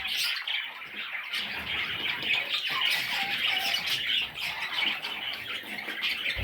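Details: Fairly quiet, steady chatter of budgerigar chicks: thin, scratchy squeaks run together throughout with a few faint lower chirps.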